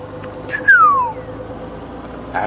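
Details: Magpie shrike (Urolestes melanoleucus) calling at sunrise on a July morning safari drive in southern African bushland, a single clear whistle sliding steadily downward over half a second, over a faint steady hum and soft background chatter.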